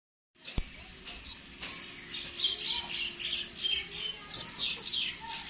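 Sparrows chirp in short, bright, overlapping notes, several birds calling steadily at once, with a soft hiss of background noise and one sharp knock near the start.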